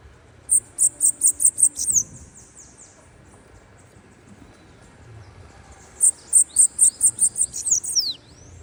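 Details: Bananaquit song given twice, about five seconds apart: each a rapid run of seven or eight very high, sharp, evenly spaced notes trailing into thin descending wheezy slurs.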